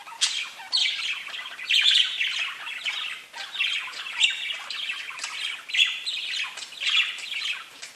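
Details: A group of parakeets chatters continuously, combining chirps and whistles into a flowing warble; high buzzy notes overlap, punctuated by sharper squawks about every second.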